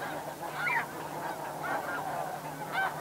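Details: Snow goose in flight at Chincoteague, Virginia, amid a calling flock: a few clear nasal honks near the start and end rise above a constant murmur of distant goose voices.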